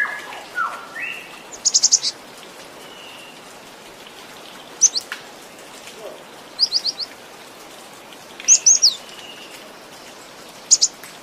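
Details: Cinereous tit, locally called gelatik batu, giving a full varied song: short bursts of high, sharp rapid notes in clusters of three to five, with pauses between phrases, and a few lower whistled notes early on.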